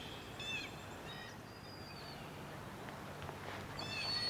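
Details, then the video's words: At Whitefish Point on Lake Superior in Michigan's Upper Peninsula, a Blue Jay imitates a Broad-winged Hawk with a thin, high, drawn-out whistle falling slightly at the end, amid brief chips from other birds and steady outdoor hiss. "Uh, you can hear a blue jay there doing a broadwing hawk imitation. Blue jays will do hawk imitations from time to time."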